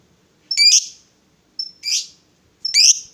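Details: Female fighter lovebird calling to provoke rivals. There are three harsh, buzzy, high squawks about a second apart, two of them led by a brief thin whistled note. Nothing else is heard.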